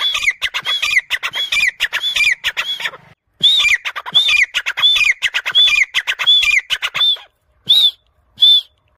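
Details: A trained grey francolin, one of a pair, gives its hunting voice. Shrill, repeated phrases each open with a high upswept whistle, then fall into quick clipped notes. The bursts tumble on, then end with a few isolated whistles.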